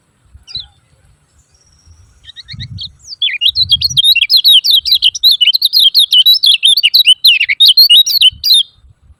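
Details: Lemon-bellied white-eye calls used as a lure to get silent birds singing: after a few faint notes, a fast, dense run of high, wavering chirps tumbles on for about five seconds, with low thumps early on.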